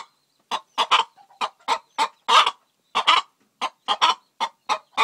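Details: Hen, a Faverolles cross, clucking as she lays an egg: sharp raspy clucks in irregular pairs and singles, around fifteen bursts over five seconds, loud and near.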